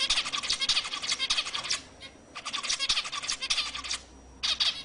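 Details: Zebra finch song intended to excite other birds. Long, dense phrases of rapid buzzy and nasal harmonic notes are broken by two short pauses.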